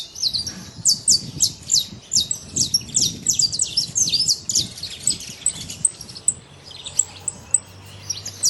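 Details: Saffron finch living free in nature with a high, chirping song of rapid sharp notes, denser early on and thinning to scattered chips later, over soft low background noise.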